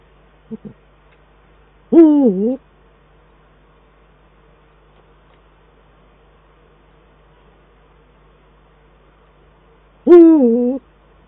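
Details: Eurasian eagle-owls, male and female, duetting at the nest in the Eifel on 22 December 2012, the male on the nest and by a branch: two loud, harsh, drawn-out calls about eight seconds apart, with soft short low notes before them.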